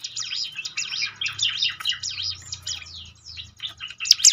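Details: A quieter prinia song for training birds to sing more often. A steady stream of high rising and falling whistles and twitters runs throughout, with a faint low drone beneath and a brighter burst at the end.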